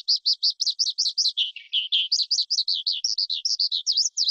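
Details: Skylark delivering a rapid run of bright, high chirping notes, nearly three per second, dipping briefly lower mid-phrase before climbing back, against silence.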